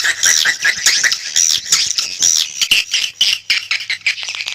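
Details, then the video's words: Calling swiftlets on a lure track: sharp, thin whistled squeaks mixed with fast buzzy chirps, the high chatter pulsing in quick bursts. "SUARA PANGGIL BURUNG WALET"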